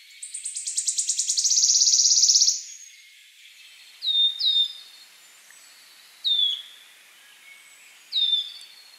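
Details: Warbler mating song: a fast, high buzzy trill of rapid notes, then short, sharp, downslurred chips every couple of seconds.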